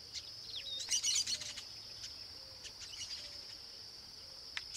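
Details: Flock of young chestnut-capped blackbirds, joined by a few adults, near the breeding colony in Tupi Paulista, São Paulo state, Brazil: a brief burst of tangled twittering chatter, then scattered thin chips, over a continuous high-pitched insect buzz.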